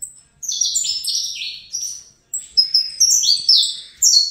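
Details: Captive-bred young saffron finch, male offspring of a pairing, singing a loud, clear series of high whistled notes and buzzy slurs that step up and down, phrases separated by brief pauses, with no background noise.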